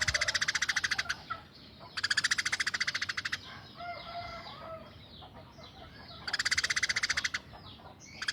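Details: Eurasian tree sparrow, tame and very vocal, alternating rapid harsh chirp volleys of about one to one and a half seconds with quieter stretches holding softer, lower chattering notes.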